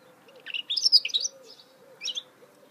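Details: Goldfinch hybrid (mule), recorded in 2018, gives short bursts of high twittering notes with a brief buzzy slur, then a pause and one more chirpy phrase, over a faint low steady hum.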